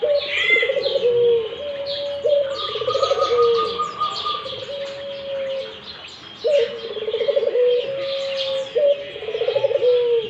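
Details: Low, purring coos from a Barbary dove, a vigorous caller, repeated through the recording: each opens with a brief upward note, rolls into a fluttering trill and fades on a long sliding note; busy chirps of other birds fill the background.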